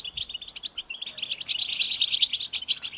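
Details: Group betbeta of European goldfinches, played to make captive males sing. Quick, high, chattering chirps repeated about three per second, building into a denser twittering burst.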